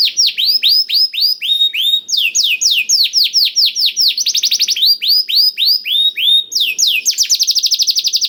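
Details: Canary song filled with blackthroat-style phrases, played to coax canaries into singing: rapid series of high, descending whistled notes, alternating with quicker rattling trills and short rising slurs, continuous and loud throughout.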